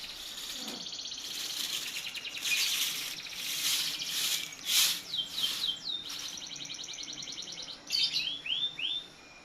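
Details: White-rumped shama song, used as a lure to prompt captive shamas to sing; varied high chirps, buzzy trills and rapid whistled phrases in separate bursts, ending with quick downslurred whistles, against a quiet background.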